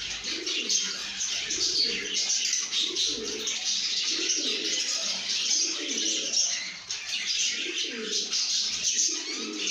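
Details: Lovebirds singing and chirping in a happy, good mood: a dense, continuous stream of high, shrill chirps and squeaky twitters from many birds, with lower, rolling, coo-like notes pulsing underneath.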